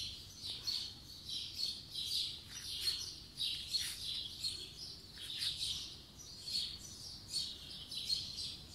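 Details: Morning birdsong in spring 2020: several high, bright chirping phrases overlap in a steady chorus, swelling and fading about once a second with no pauses.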